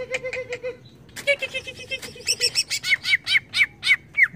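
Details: Greater green leafbird worked up by a lure, delivering a steady, lively series of chirps, first lower-pitched repeated notes, then higher, sharper slurred notes about three or four per second.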